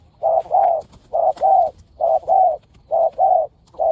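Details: Spotted dove during decoy luring, one of two fierce birds. Steady doubled coos, a short note then a longer one, repeated about four times in rapid regular rhythm.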